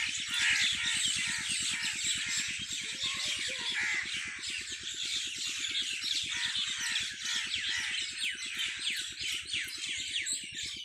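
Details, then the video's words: Farm birds at evening keep up a continuous chattering chorus of sharp chirps and harsher squawking calls, backed by a constant quick low rumble of pulses from a machine. "Birds singing in my farm at evning شام کے وقت پرندوں کی چہچہاٹ میرے فارم پے"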